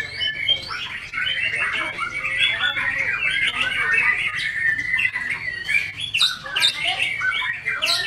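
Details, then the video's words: White-rumped shama song: continuous warbling with buzzy chatter and sharp clipped notes, growing into louder, higher bursts toward the end. "IN ACTION MURAI BATU SAKTI"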